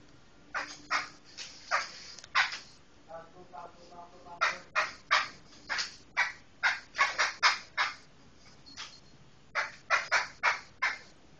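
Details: Medan-type black laughingthrush calling with rasping, explosive notes in uneven clusters, a brief quieter stretch of softer notes near the middle, then dense rapid bursts toward the end; no other clear sounds.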